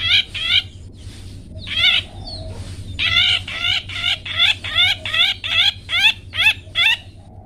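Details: Captive long-tailed shrike singing the 'toet toet' style as a training model for pet birds: a few notes, a harsh burst, then a steady run of bent, harmonic notes repeated roughly twice a second, with a constant low hum beneath.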